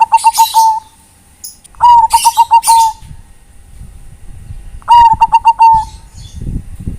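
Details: Bangkok-type zebra dove calling to companions: three cooing phrases, each a rapid run of pulsed mellow notes ending in a held tone, spaced about three seconds apart, with hissy bursts and low rumbling between.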